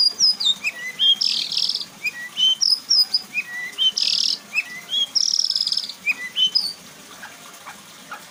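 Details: White-rumped shama in 'bongkar isian' singing, a string of its learned phrases: varied sharp whistles and chips broken by three loud buzzy rasping bursts, ending in a quieter stretch.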